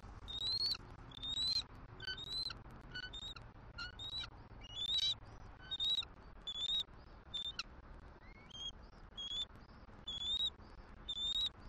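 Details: Wild bald eagle pair at a Southwest Florida nest on 6 December 2023, exchanging morning greeting calls as the female reluctantly leaves the eggs for the male to incubate: high, squeaky, thin whistled chitters, repeated in short bursts about once a second, over soft wind.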